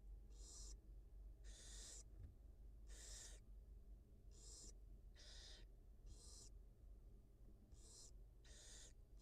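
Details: Wild barn owl mother tending two newly hatched nestlings in a nest box camera; about nine harsh, airy hisses come at roughly one-second intervals over a low electrical hum.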